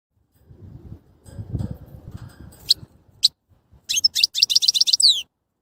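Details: European goldfinch song: after a low rumbling, a short burst of high, rapid twittering with quick repeated trilled notes and downward-sweeping whistles near the end.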